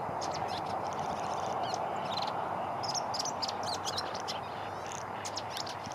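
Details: Twittering song of a welcome swallow, with rapid thin chirps and brief warbled notes scattered through the clip above a constant broadband hiss and rumble.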